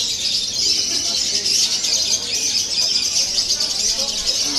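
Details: Fighter-type lovebird pouring out an unbroken, shrill, fizzy chatter at a steady loudness throughout.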